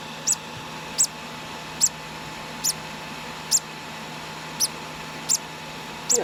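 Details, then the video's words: Conure chick aged two days during hand-feeding: eight tiny, high, clipped peeps spaced under a second apart, quiet hum underneath and a faint low sound at the very end. "2 day old hand feeding conour parrot"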